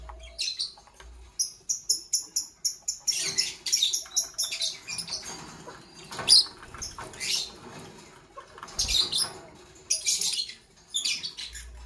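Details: Caged Fischer's lovebirds, Parblue Violet and Pastel Green Opaline, chirping in the morning: a run of short, rapid high chirps repeated about twice a second, then louder bursts of harsh, buzzy high chatter.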